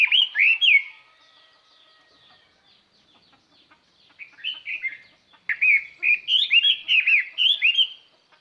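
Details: Decoy Chinese hwamei singing to lure other birds: loud, clear, varied whistled phrases with rapid slurred notes, a burst at the start, then a pause, then a longer rising and falling run of bright notes.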